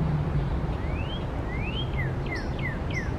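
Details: Northern cardinals singing in Central Park, New York City, April 2020, a female singing with a male calling and singing nearby: clear whistled upslurs followed by quick repeated downslurred whistles, over low traffic rumble.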